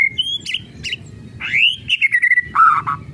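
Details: Murai batu, the white-rumped shama, in kretekan style: short high whistles, then a long upslurred whistle falling into a stuttered series of notes, ending on low rich fluty notes.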